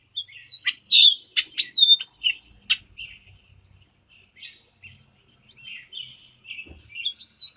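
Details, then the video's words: Hispaniolan oriole from Hispaniola, between the Dominican Republic and Haiti: a dense burst of sharp sweeping and chattering notes, then a string of softer spaced whistled phrases. "O canto do Corrupião Hispaniolano"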